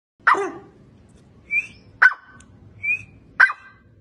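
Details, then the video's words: A grey francolin calls loudly, giving harsh grating notes about every one and a half seconds that alternate with shorter, higher whistled notes, over a faint low background rumble. "Grey Francolin voice | Dakhni Teetar ki awaz Teetar awaz"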